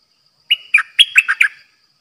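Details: A caged decoy red-whiskered bulbul of the dok taeng pattern, used to lure birds for trapping, delivers a crisp phrase of about six liquid whistled and chortled notes in rapid succession. Light insect ticking sounds faintly underneath.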